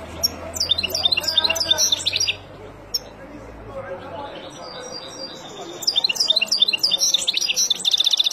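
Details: Song of a wild European goldfinch used to tutor young birds: two bursts of fast, tinkling, high-pitched twitters and trills separated by a few seconds of quiet, with a faint low hum under the first burst.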